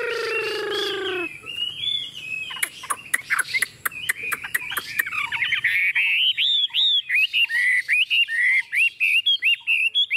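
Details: Chinese hwamei, a tame bird placed on a table, singing after a brief low droning tone; clicks and chatter lead into rich, rapidly repeated looping whistles.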